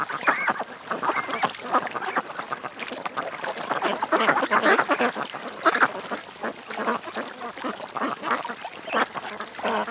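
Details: Many ducks at a creek calling at once, a steady stream of nasal quacks and chatter with louder peaks near the middle and a faint hiss behind.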